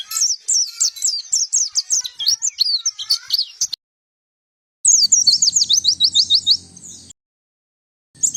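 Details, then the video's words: White-eye song used to lure birds and as a master song for training, cleaned of surrounding noise: rapid high, sharp chirps and twitters in quick runs, about three notes a second, broken by abrupt silent cuts. "Suara Pikat dan Master Kicau Burung Pleci"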